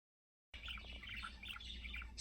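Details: Male pet budgerigar (Melopsittacus undulatus) singing a rapid, chattering warble of mixed chirps and squeaky notes over a low indoor hum.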